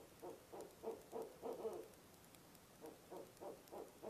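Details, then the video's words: Barred owl giving its monkey call at a nest box at 2 a.m. on 4 November, about two and a half months before nesting season: bursts of hooting notes repeated roughly three times a second, a pause, then another rapid run. "Barred Owl - Nov 4, 2am Monkey Call"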